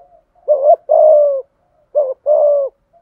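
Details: Spotted dove singing a full song in the 'giọng thổ' voice, 'thúc gù' style: two phrases, each a short looping double note followed by a long, level, slightly falling coo, in clean, quiet surroundings.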